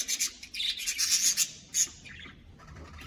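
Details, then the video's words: Caged colony of budgerigars giving rapid, scratchy, rasping chirps in a quick run, ending with one sharp note before quieter background. "Budgies colony! 😱🦜Budgieschirping!🕊️Budgies sounds!"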